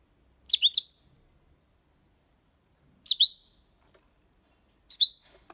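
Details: European goldfinch, copia malaga song recording intended to stimulate young birds: three short clusters of sharp, high, slurred twitter notes spaced about two to three seconds apart, with silence between.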